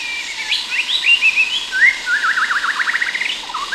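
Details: White-rumped shama from Sumatra, Indonesia: sweet whistled phrases followed by a rapid zigzag trill of repeated rising notes, ending in a short upslur, over distant cicadas.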